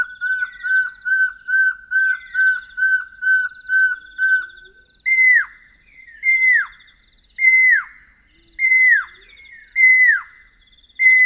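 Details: A pair of Pearl-spotted owlets duetting at night in African bush, Northern Tuli Game Reserve, Botswana, female giving the more distant, higher phrases: a fast run of short piercing whistles building in intensity, then loud downslurred whistles about every second and a half.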